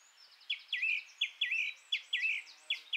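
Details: Song thrush song: a rapid series of sharp, downslurred whistled notes, each repeated several times in quick succession, clear over quiet surroundings.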